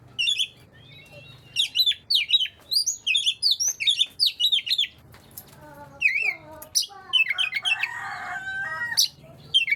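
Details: Oriental magpie-robin song, played to get reluctant magpie-robins singing: bursts of sharp, varied whistled and chattering phrases, high and slurred, in quick runs separated by short pauses, with a harsher, lower scratchy passage near the end.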